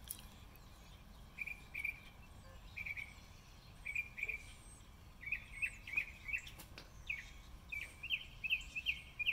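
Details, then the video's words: March 26, 2020 spring recording of a northern mockingbird: short chirped notes repeated in steady series, then faster trilled rows of the same note, with a couple of sharp clicks and quiet background hiss. "Mockingbird 1 minute repetoire March 26, 2020"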